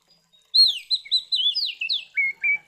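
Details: Oriental magpie-robin in loud 'gacor ngeplong' fighting song, used to provoke other magpie-robins: a rapid run of high, sweet slurred whistles with upward and downward flicks, ending in two lower, buzzier notes.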